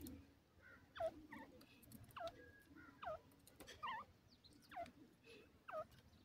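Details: Grey francolin (dakhni teetar) giving repeated calls: six clear, falling notes that each curl up at the end, roughly one per second, against low background noise with scattered clicks.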